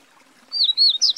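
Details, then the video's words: Yellow-bellied Seedeater (papa-capim) song: a short high whistled run of sliding notes, rising and falling, ending on a brighter upward note, over quiet background. "O quarto da lista, é o canto do papa-capim (Sporophila nigricollis)."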